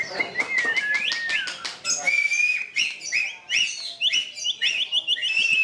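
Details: Caged white-rumped shama (murai batu) in contest at the Plaza Cup 2015, Semarang, Indonesia, delivering bright, high whistles: a sustained pure note, then quick repeated upslurred chips, over background chatter and sharp clicks.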